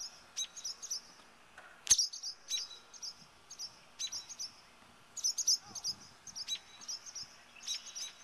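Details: Defensive barn swallows, two birds, scolding a person too close to their nest: insistent high, sharp chip notes in short clusters, one loud harsh snap near the start, calls continuing throughout.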